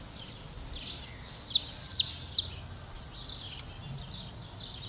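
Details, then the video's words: Saffron finch of Brazil giving a short burst of four loud, high, falling chips, followed by soft, thin twittering notes and one isolated sharp tick. "Canto do Canário da Terra"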